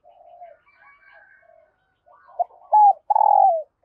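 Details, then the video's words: Quiet murmured cooing from a female dove used to stimulate males, then a sharp note, a bright level coo and a long loud falling coo at the end. "Tiếng chim Cu Mái Kích Trống Hiệu Quả"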